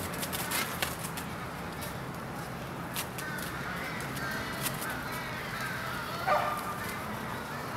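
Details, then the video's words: American crows gathering at an evening pre-roost in Charleston, Coles County, Illinois, USA, on 16 January 2015; scattered harsh caws from several birds, with one louder call near the end over a steady background roar. "American crow pre-roosting aggregation V"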